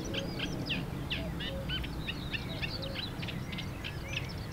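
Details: A Eurasian reed warbler sings in Mechelen on May 2, 2024, a steady, unbroken run of scratchy, chattering notes, several repeated two or three times, over a low background rumble.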